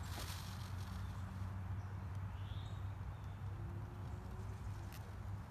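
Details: A pet male Indo-Chinese green peacock rattles his train, rubbing the long train feathers against his tail, in a steady, low, rumbling rattle that carries on throughout, with a brief faint chirp partway through.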